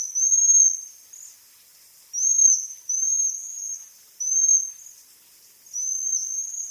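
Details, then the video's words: Bohemian waxwing giving thin, high, trilled calls. Each lasts about a second, with short pauses between, roughly thirty a minute. The background is quiet. "Свиристель. Голоса птиц"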